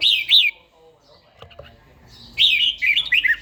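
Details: Morning song of a trained, older caged red-whiskered bulbul in forest-voice style: a loud bright warbled burst, a pause with faint clicks, then a longer tumbling run of looping, descending notes.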